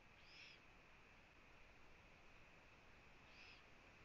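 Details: Eurasian eagle-owl nest camera in Latvia, 1 June 2017 at 15:01, the female visiting her owlets. Two soft, airy hissing bursts sound three seconds apart against a steady background whine.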